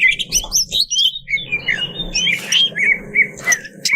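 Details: Greater green leafbird used to provoke competition birds, giving spaced whistled phrases and chirps, some sweeping downward, over a constant low hum of background noise.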